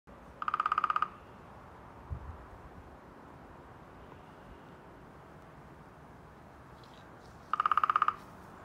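Two short, fast drum rolls from a Downy Woodpecker, each under a second of rapid even taps with a ringing tone, separated by several seconds of quiet.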